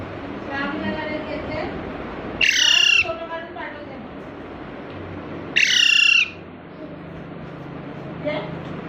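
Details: Parrot chick squeaking intermittently while being brought home in Panvel on a Sunday in March 2019, curious about its new surroundings; two loud, harsh, harmonic squeaks about three seconds apart over quiet room noise.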